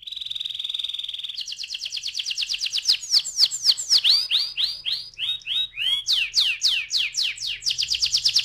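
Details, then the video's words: Canary lure song for rolling; a fast even trill leads into a varied run of rapid descending sweeps and whistled slurs repeated several times a second, clear and loud throughout. "PANCINGAN TERCEPAT dan SUKSES BIKIN KENARI GACOR NGEROLL"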